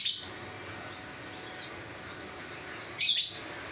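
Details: Lovebird, described as singing 'ngacor', heard as a brief high squeak at the start and one louder shrill harsh chirp near the end, with quiet steady background noise between.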